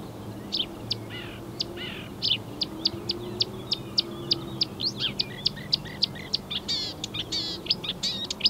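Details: Marsh warbler (Acrocephalus palustris) singing on 15 May 2020, a varied medley imitating other European and African birds: fast sharp ticks, buzzy notes and downslurred chirps in a rapid run, with a low steady hum behind.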